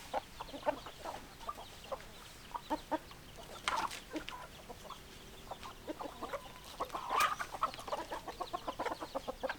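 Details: Hens in a flock clucking: short, sharp clucks repeated irregularly, several birds overlapping, with louder bursts of quick clucks near the middle and end of the recording; faint steady background hum throughout.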